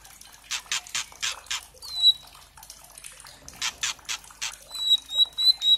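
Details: Juvenile white-rumped shama heard in a lure recording meant to provoke singing: two bursts of rapid harsh rattling notes, each followed by thin sustained high whistles.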